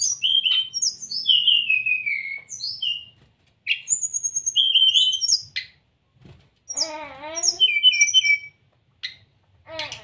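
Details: Brown-chested jungle flycatcher song used as a master recording and lure to get caged birds singing. Varied whistled phrases slide down from high to middle pitch in bursts, then a pause and a harsher, wavering stacked call with more bright notes.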